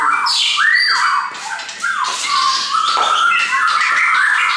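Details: Caged shamas kept together sing loud sliding whistles and downslurred phrases, with busy high warbling and chattering notes throughout.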